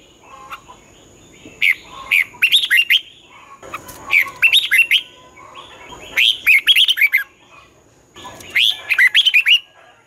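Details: Red-whiskered bulbul morning song in the twisted 'giọng xoắn' voice, used to push young birds into competitive singing: four bouncy phrases of chirpy, slurred whistles, about two seconds apart, with a faint steady hum behind.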